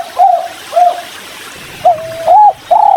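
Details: Spotted dove (tekukur) giving its kuk 3 call while drinking near a river: two mellow, even-pitched coos, a pause, then three more coos, the last notes slightly rising then falling.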